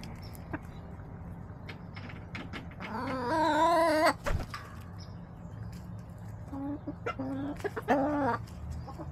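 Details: Backyard chickens on 18 March 2024, feeding on leftover salad and sunbathing: one loud, drawn-out, wavering nasal call lasting over a second, scattered short clucks and taps, then a second softer, stretched squawk, over a steady low mechanical hum.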